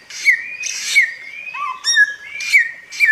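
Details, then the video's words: Short burst of bare-throated whistler song, a Flores endemic: long sustained clear whistles that slide and wobble around one pitch, punctuated by brief harsh noisy bursts and a lower whistled note. "suara pancingan burung samyong buat masteran jernih gacor"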